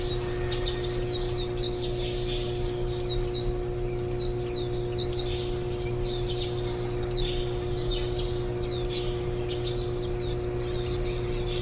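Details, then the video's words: Nestling warbling white-eyes being fed on the last day before leaving the nest, summer 2018: many overlapping high descending chirps in a busy, almost continuous stream above a constant low hum. "綠繡眼-青笛仔 育雛 錄音"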